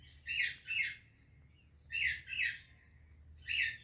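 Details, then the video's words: Greeting between an Indian and a Pakistani parrot: hoarse, buzzy squawks given as a pair, a second pair about a second and a half later, then one more call. "Indian Parrot Greeting Pakistani Parrot"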